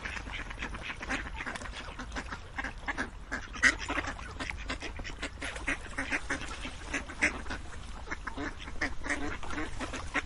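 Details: A flock of ducks keeps up a continuous jumble of short, rough quacks, with louder single calls popping out now and then over a low background rumble.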